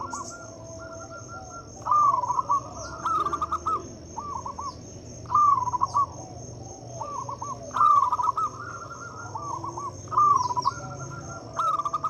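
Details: Local zebra dove song meant to coax mute or reluctant doves into singing. Repeated short, warbled cooing phrases follow one another roughly every two seconds, some louder and some softer, over a continuous high-pitched insect drone.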